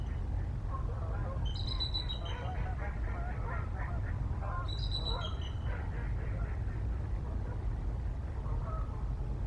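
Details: Two adult Bald Eagles calling together on the Mississippi River flyway, 1 December 2023: two bursts of high, thin, stuttering chatter about three seconds apart, over a steady low rumble and soft goose-like honking in the background.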